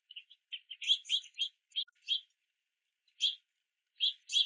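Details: House finch fledglings in rainy weather chirping for food at a feeder: a quick jumble of high chirps at first, then a pause and three more spaced, harsh notes.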